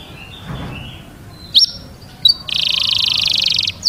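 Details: Canary song for training chicks: soft, faint notes and two sharp chirps, then a steady, buzzy high trill lasting over a second.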